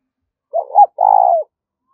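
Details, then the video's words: Short spotted dove phrase for luring wild birds: a quick double coo rising to a higher note, then one long, slightly trembling coo that sinks at its end, clean and free of other noise. "Tiếng cu gay thúc và gáy gọi to rõ ít tạp âm dùng kích bổi hạp bổi"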